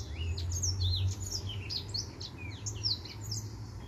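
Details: Male white tip finch singing steadily, a dense jumble of high twittering chirps and short rising and falling whistles, roughly two to three notes a second, above a low background hum.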